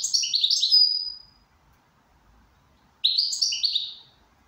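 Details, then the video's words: Goldfinch in good condition delivering two quick bursts of bright, liquid twittering, rapid tinkling notes ending in a thin high trill, with a gap of silence in between. "Switty goldfinch in good condition."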